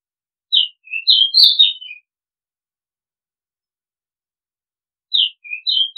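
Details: A decoy-bird calling recording of an Oriental magpie-robin: a busy phrase of quick whistled and chirped notes, then about three seconds of silence before a similar phrase starts.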